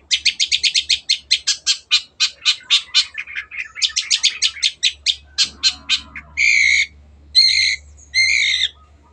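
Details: Rapid rattling series of sharp chips from a long-tailed shrike, slowing and speeding in bursts, then ending with three loud drawn-out harsh nasal notes; used as a training song for pet birds.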